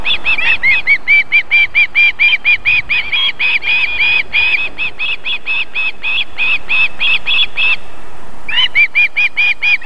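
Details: Female osprey at the nest feeding young, Võrumaa, South Estonia, near a river and fish farm, 31 July 2021 evening; a long, steady train of sharp whistled notes, about three per second, pauses briefly, then resumes.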